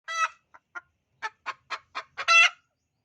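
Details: Hen calling noisily before laying eggs: a loud harmonic squawk, a few short soft clucks, then a rapid run of sharp clucking notes rising to a long, loud, harsh cackle at the end.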